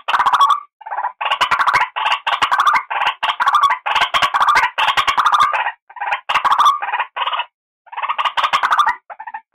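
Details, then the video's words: Lure call of the white-breasted waterhen: a nearly continuous stream of loud, raspy croaks in quick, irregular succession with a few short pauses, no other sounds evident. "suara asli burung ruak-ruak pemikat"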